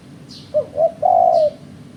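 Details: Lure call of a spotted dove for bird trappers, a single phrase of two brief low coos and then one long sustained coo, with faint high chirps from other birds and a quiet hum.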